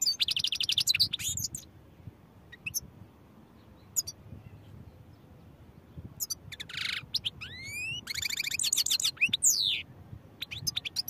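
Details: European goldfinch singing: bursts of rapid, high, tinkling twitters and trills alternate with short pauses and a few isolated chips, over a low background hum.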